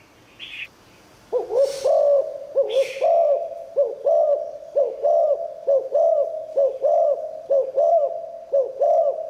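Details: Spotted dove in 'liu tan' style song, said to attract wild birds: a long run of about twelve quick, double-looped low coos, roughly one per second, after two brief hissing bursts.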